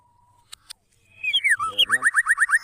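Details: White-rumped shama song played to draw other shamas into singing: after a faint steady tone and two clicks, a swooping slurred whistle leads into a fast series of repeated rising notes.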